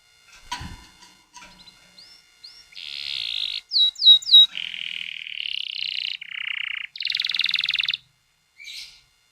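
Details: Canary tutor song played to young canaries as a lure to get them singing: long rolling trills in sustained blocks at steady pitch, a few short rising whistles, several trills stepping between higher and lower tones, then a brief final note.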